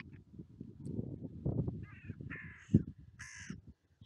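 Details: Carrion crows on a UK seafront clifftop, gathering where a familiar person feeds them; three harsh, buzzy caws in quick succession, with heavy low rumbling wind and handling noise underneath.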